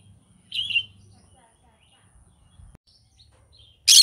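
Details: A pet green-cheeked conure in the morning gives one short, high, squeaky chirp, then a near-silent pause, and a sharp burst of rustling noise closes the clip.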